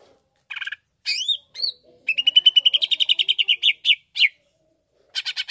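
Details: Greater green leafbird song: a few harsh notes and rising whistles, then a long fast run of evenly repeated sharp notes, ending with more buzzy chattering.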